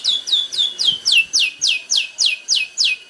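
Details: Long-tailed shrike recording for song training: a steady series of about eleven loud downslurred whistled notes, roughly four per second, each dropping sharply from high to lower pitch.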